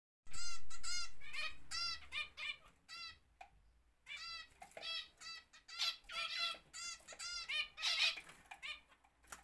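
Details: Zebra finches kept for home breeding in an aviary, several birds giving loud nasal, trumpet-like calls in quick overlapping bursts, with a brief lull near the middle and steady low rumble underneath.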